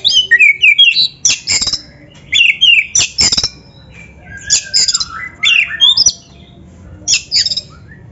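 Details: Kacer, the Oriental magpie-robin, singing gacor-style as masteran for tutoring beginner or lazy birds: bursts of harsh rasping notes alternating with quick whistled slurs, phrases repeated roughly every second with brief pauses, faint low hum underneath.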